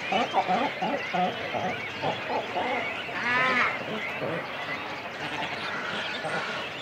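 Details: Nesting colony of cormorants, adults and chicks on the nest: a rapid run of clipped chattering notes, then a louder harsh drawn-out croak, fading into softer background colony calls.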